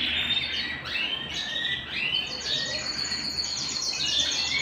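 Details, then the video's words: Domestic canary singing indoors: a fast, unbroken run of high chirps and slurred notes leading into rapid repeated trilled syllables, with steady low background noise throughout. "canary singing at home"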